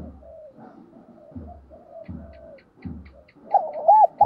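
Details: Decoy spotted dove cooing and calling in full: low, throbbing coos repeated roughly three times a second, ending in louder, clear, rising-falling hollow notes.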